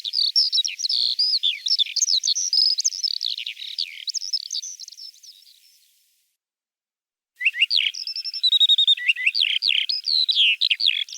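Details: Field song of the Eurasian skylark, Russia: fast, run-on chirping and trilled notes for about six seconds, fading out, a short silence, then the busy high warble resumes with buzzy and whistled elements.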